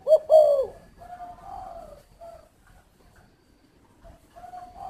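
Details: Spotted dove kept at a dove aviary in Ba Vì, Hanoi, Vietnam: one loud, hoarse two-part coo opens, followed by softer, drawn-out low coos fading in and out.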